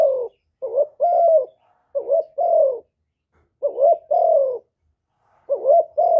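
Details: Spotted dove singing in the hap boi voice style, a full song of calling, urging and cooing recorded without background noise: paired low coos, a short wavering note then a longer, slightly falling one, repeated in clean bursts.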